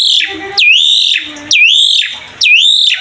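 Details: Asian pied starling in lively mompa-style song, meant to coax young starlings into singing: three piercing whistled phrases, each a quick downward slide into a long, rising, slightly buzzy note, under a second apart. A short low tone sounds between phrases.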